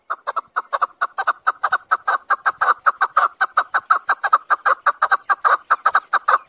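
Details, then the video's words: Harsh, repeated chuck-chuck notes of a chukar partridge in a fast, even series lasting several seconds, each note clipped and strong, over a clean quiet background. "Keklik sesi. Keklik sesi Hunter. Chakor voice. chakor sound. chakor calling."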